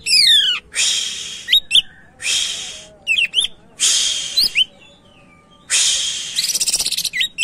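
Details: A greater green leafbird in active, full song, offered as a lure recording for other birds: bursts of harsh, hissing chatter alternate with quick bright whistled notes and rising slurs, with a fast rattling trill near the end.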